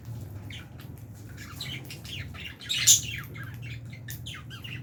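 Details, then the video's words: Fischer's and albino lovebirds in an aviary colony, chirping while eating food: a dense stream of short, high, sharp chirps and twitters, with one louder squawk near the middle over a low steady hum. "Lovebirds Chirping Sounds"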